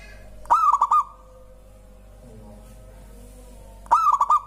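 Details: Local zebra dove, its song said to get other birds calling too, giving two pulsed cooing phrases about three and a half seconds apart, each a fast run of clipped, level notes, with a quiet pause between.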